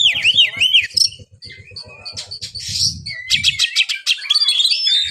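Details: Caged white-rumped shama, known locally as kacer, pouring out loud looping whistles, quick chips and harsh buzzy rattles, with steady low thumping sounds in the background.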